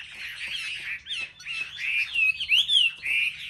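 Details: Chinese hwamei, caged and singing competitively among selected market birds: full, mellow whistles and long swooping slurred notes, strongest in the second half.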